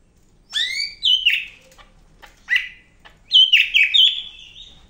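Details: Greater green leafbird of the Medan type in active song: a swooping downward whistle, a short bright phrase, then an extended warbling series of high fluty notes.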